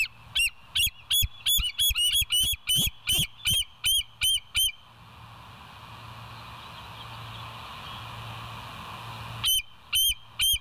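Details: Bald eagles at the West End nest on a live nature cam, 26 September 2023 just after 7 a.m.: a rapid run of about a dozen high, piping notes with sharp upturned inflections, a quiet hiss-filled gap, then three more notes.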